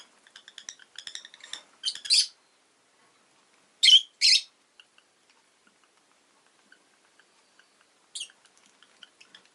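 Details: Pet rosy-faced lovebird chirping: a rapid stuttering run of small ticks leading into loud harsh chirps, then two strong piercing calls, a pause, and one final chirp.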